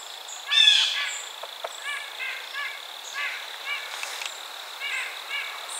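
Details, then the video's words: Blue jay giving one harsh call near the start, followed by a series of soft, short chirping notes from other small birds. "Blue Jay Bird Calls"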